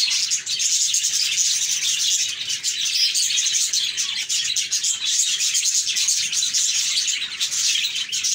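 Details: Budgies in a compilation of cheerful chirps, chattering continuously in dense, overlapping high twittering and warbling with quick squeaky notes throughout, no pauses, indoor setting.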